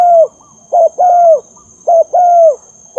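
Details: Spotted dove used to lure birds, cooing steadily: a drawn hoot, then a brief double note and another long falling hoot, repeated in a tight rhythm.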